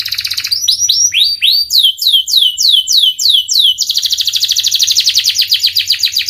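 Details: Caged Panda canary singing energetically: rapid high trills, then a run of about ten descending slurred whistles repeated every third of a second, ending in a fast buzzy trill; faint low hum beneath.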